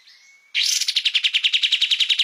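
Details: Kapas tembak singing on a master recording for cage songbirds: a thin whistle gives way to a bright, fast trill of repeated sharp notes that continues to the end.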